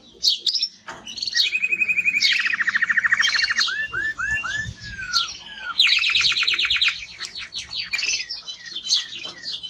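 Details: Male timbrado canary in strong song: rapid trilled rolls, a run of descending looped whistles, then a fast bright rattle and scattered high chirps, loud and continuous.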